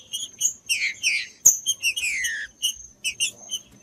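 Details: Green-winged saltator singing to warm up other saltators: brief chips, a quick pair of descending slurred notes, a sharp click, then a long falling sweep and spaced double chips.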